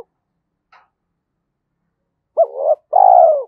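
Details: Spotted dove with the Thúc Đấu 'giọng thổ' voice, described as good for trapping in the forest; after near silence with a faint tick, one coo phrase: a quick rising note, wavering hum, then a long falling coo.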